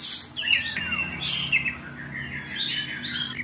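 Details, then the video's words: Oriental magpie-robin in the ngobra singing style: a tumble of varied whistles, sharp high chips and slurred notes over a steady low electrical hum. "KACER NGOBRA"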